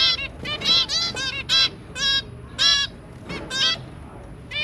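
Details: Zebra finch family, a pair with their three young, recorded 23 January 2022: loud nasal, honking beeps with bright stacked overtones, given in short bursts about every half second, some doubled, with quiet background hiss.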